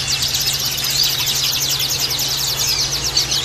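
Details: Male-bird therapy track of Oriental white-eyes from group cages: a dense, shrill stream of rapid downslurred chips, packed and nonstop, over a constant low hum.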